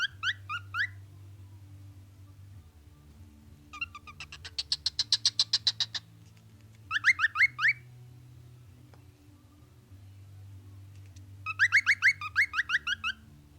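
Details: A male pet cockatiel showing off in front of a mirror sings in bursts of bright, chirpy whistled notes, with a quick rattling trill midway.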